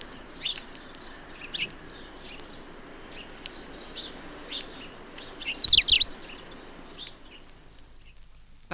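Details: A male Eurasian Siskin winter-visiting a suburban garden gives a trial burst of song in March while feeding on seeds at a bird table. It is a short, halting burst of high twittering with a louder squeaky flourish near the end, over low hum.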